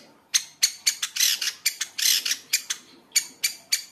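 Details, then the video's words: Long-tailed shrike voice used as a stimulus for caged shrikes: sharp, dry, scratchy bursts spaced irregularly, some doubled into longer grating phrases, with quiet gaps between them. "pancingan cendet gacor full isian | merangsang cendet agar bunyi"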